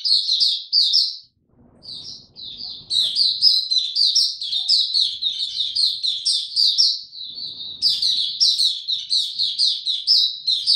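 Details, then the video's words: Caged white-eye in ramped-up form giving its opening song, recorded 3 January 2022: long runs of high, thin, rapid twittering notes, each phrase slurring down quickly, with a short pause near the start and faint low rustling. "Mata Puteh Dagger ramp up form buka tiong aw sing"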